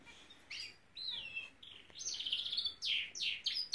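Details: Norwich canary, a pet bird, singing: short rising and falling whistled notes lead into loud, rapid rolling trills and bright chirps repeated several times a second.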